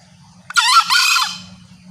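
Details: Lure call of green junglefowl, said to attract males. A single harsh, raspy double-noted squawk, strong and brief, tailing off downward, with a faint low hum behind it.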